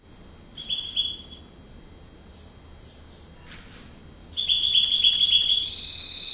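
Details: Canary singing: a short burst of rapid high twittered notes, a pause, then a louder sustained run of fast trilled and warbled phrases building to the end.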